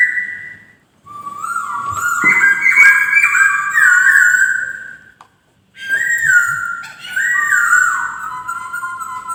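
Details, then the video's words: Melodious poksay song: long, steady whistled tones with stepwise pitch shifts, two extended phrases divided by a pause; a white-crested laughingthrush. "DOA BURUNG POKSAY DENGAN BERKICAU MERDU"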